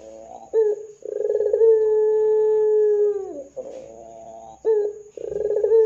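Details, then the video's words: Ringneck dove in lively 'gacor dor' calling, used as a lure to set other doves calling: a rapid pulsed burst running into a long, steady low coo that dips at its end, then further pulsed starts. "Pancingan Suara Burung Puter Gacor Dor 100% Cocok Bikin Puter Lain IKUTAN BUNYI"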